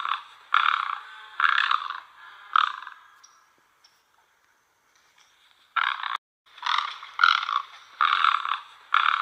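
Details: A great egret (Ardea alba) gives harsh, rasping croaks, each about half a second long, in uneven bursts broken by pauses of a couple of seconds.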